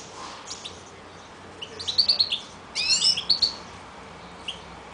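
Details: A Siberian goldfinch, recorded in April 2009, gives quick bursts of bright, tinkling, twittering notes, with a few high chirps before and after. The background is quiet.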